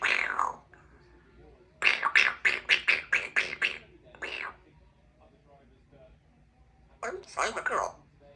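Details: Pet Congo African grey parrot, a two-year-old female, mimics speech: a quick run of about eight clipped, evenly spaced syllables, a pause, then a couple of drawn-out wavering words, indoors in quiet surroundings.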